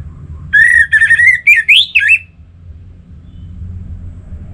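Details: Orange-headed thrush song used as a lure to set other birds singing, loudly and freely, especially males, from North Bali; a rich, bright whistled phrase of sliding, warbling notes over about two seconds, then quiet with low rumbling traffic.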